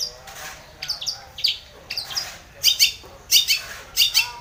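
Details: Long-tailed shrike used as a lure to provoke rivals into calling, giving scratchy high notes that build into loud, grating double chirps, with a faint low hum underneath.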